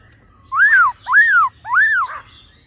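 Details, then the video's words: Laughingthrush, a female calling and a male singing in a mature, wild-forest voice, used to excite the male quickly: three loud, clear arched whistles, each rising then falling, spaced about half a second apart over a faint low hum. "khướu mái ro +trống hót giọng già rừng"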